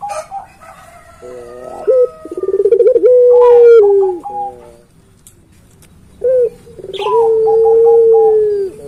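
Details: Puter pelung dove, a kept bird that calls tirelessly: a short rising note, a rapid stuttering roll, then a long, steady, drawn-out coo that slowly falls. The same pattern is repeated after a pause.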